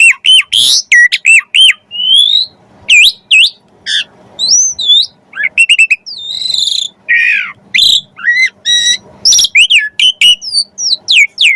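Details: Javan pied starling song used as training material for songbirds: a loud, lively mix of looping whistles, sharp chips, squeaky slurs and short rasping phrases in quick succession.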